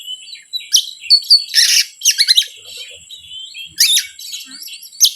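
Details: Oriental magpie-robin song used as a lure to provoke other birds: quick whistled notes broken by loud harsh, rasping bursts, over a steady thin high hum.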